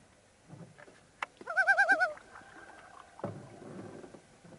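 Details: Common Loon calling on a remote forest lake in Canada, some 150 km from the nearest town; a short quavering call of rapid wavering notes mid-clip, with faint clicks and a low thump around it.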